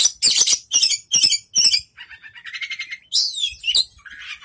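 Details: A young oriental magpie-robin kept for song contests delivers loud rasping bursts about every half second, then a softer sustained buzzy trill, followed by a sweeping whistled flourish and a short rising note.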